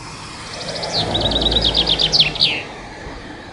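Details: Chaffinch song: a rapid descending series of bright repeated notes, trilling down and ending in a sharp flourish after about two seconds, over a low rumble of background noise.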